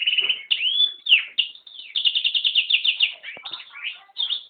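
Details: Hybrid of yellow-rumped serin (Serinus atrogularis) and canary in continuous song, mixing a sweeping whistled upslur, fast pulsed trills about three per second and twittering notes, with a few lower chirps near the end.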